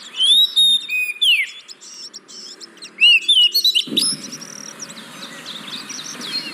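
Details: Oriental magpie-robin singing, used to prompt reluctant caged birds: loud swooping whistles and clicking notes in the first half, fading into soft chatter with a low rumble after four seconds.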